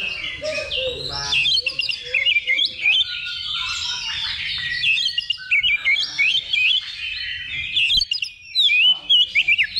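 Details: A simulated level-2 competition for Oriental magpie-robins, meant as practice ahead of a contest. Long, continuous run of bright, warbling whistles, slurred notes and chatter, with several birds singing at once.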